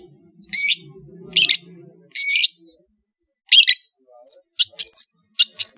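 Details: Madura long-tailed shrike singing a varied song of harsh, scratchy high phrases, separated by short pauses, ending in thin whistled slurs and quick clicks.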